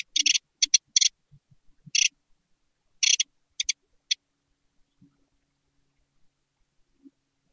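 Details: Newly hatched great tit nestlings in a dark nest box give harsh, hissing begging calls while being fed, in short uneven bursts clustered over about four seconds, then quiet apart from faint low knocks.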